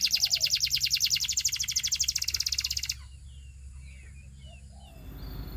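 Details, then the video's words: Russian canary singing a fast rolling trill of high notes for about three seconds, then near silence with faint distant chirps and a rising background hiss at the end. "The Russian Canary Invites All Canaries to Sing"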